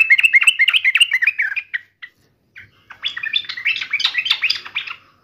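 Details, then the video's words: Sooty-headed bulbul in agitated, fighting mode, delivering fast, busy chattering and warbling phrases, pausing briefly before a second energetic burst. "trucukan gacor FULL TARUNG NGAMUK"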